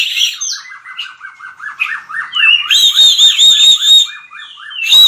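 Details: White-rumped shama in combative training song: a string of fast, evenly repeated harsh notes with a sustained high whistle laid over them, opening and closing with sharp bright phrases.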